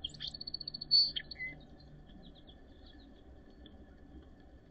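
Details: Song sparrow singing during the last snowy days of April 2023 in Northern Ontario: a bright buzzy introduction, a quick run of high repeated notes, then a lower trailing note, with faint distant birdsong behind.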